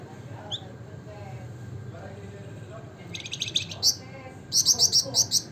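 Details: Wergan jawa, the Javan fulvetta, in ngebren nyiul style: faint soft notes at first, then a rising run of quick high chips and a series of five or six bright, sharp notes in steady rhythm.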